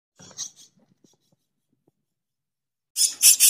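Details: Myna chicks being fed by parents give harsh, raspy, hissing bursts in a quick run near the end, after soft rustling and a long quiet pause.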